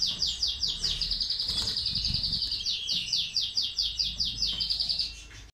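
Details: Classic-style saka song from a caged European goldfinch with two ak gerdan features: a fast, even run of about twenty-five sharp high ticking notes in five seconds, steady and metallic, with faint low room noise.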